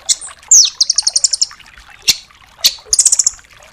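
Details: Velvet-fronted nuthatch singing full Doraemon-style phrases, meant for tutoring songbirds. A downslurred whistle opens into a fast, even string of high ticking notes, then scattered sharp clicks and another quick rattled series.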